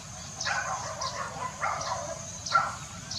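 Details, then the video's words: African grey parrot giving a run of short, harsh, bark-like calls, about four bursts in three seconds, each a broad rasping note with a faint high tick, over a steady low background hum. "African Grey Parrot"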